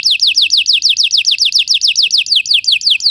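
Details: Belgian canary singing, a song meant to train other canaries: a fast run of bright descending whistled notes, roughly five per second, held steady for the whole stretch.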